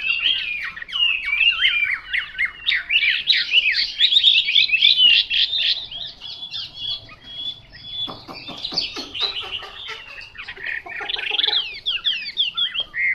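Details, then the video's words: Chinese hwamei in long, energetic song, mixing whistled slurs, fast trills and harsh clicking notes in loud bursts roughly every second, with a brief quieter patch midway before the rapid phrases resume. "Họa mi mộc"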